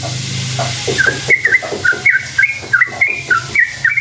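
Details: A sooty-headed bulbul sings a long rolling lure song to draw answers from other bulbuls. After a noisy first second, clear whistled note pairs start to repeat steadily, each leaping upward, roughly three per second.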